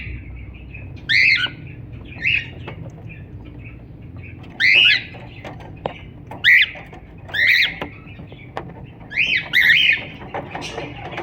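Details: Cockatiel singing and chirping: loud, arched, nasal chirps in irregular bursts roughly every one to two seconds over a steady low background hum.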